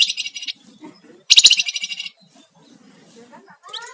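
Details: Sunda warbler song in 'ngebren' and 'nyiul' style, used for luring and tutoring songbirds: a short high buzzy burst, then a louder rattling trilled phrase near mid-clip, followed by quieter scattered sounds and a faint voice at the end.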